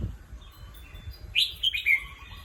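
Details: Red-whiskered bulbul kept caged as a competition bird, at rest, gives one lively phrase of clear, rolling whistled notes that rise then fall, after a quiet start with soft low rumble.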